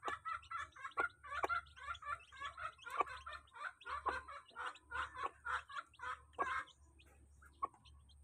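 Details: Flock of chickens crowding together while feeding: dense chorus of harmonic, slightly rising calls repeated almost continuously in overlapping bursts, with a low rumbling hum underneath.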